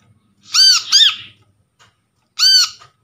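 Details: Trapped brown-throated sunbird material played as a lure for non-calling birds: a bright two-note phrase of arched, harmonically rich notes, a pause, then a single matching note.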